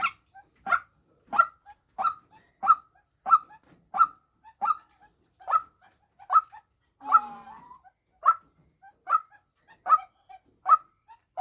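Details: Female white-breasted waterhen, kept as a decoy bird, giving a long run of harsh, nasal single notes, about one every two-thirds of a second, with a brief scraping rustle midway.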